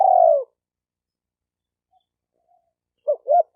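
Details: Spotted dove call played to excite male, female and decoy doves. A long, soft descending coo ends, a silent pause follows, and then two short rising notes start a new phrase.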